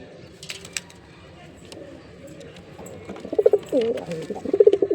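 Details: Jeera pigeon male cooing in performance, low rolling coos building in the second half after a quieter start with scattered clicks and a voice in the background.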